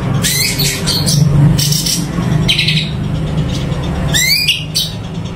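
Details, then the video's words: Sumatran leafbird (cucak cungko) in vigorous song, giving sharp rising sweeps, some doubled, spaced by gaps, over loud low rumbling background noise. "Cucak Cungko Super Gacor"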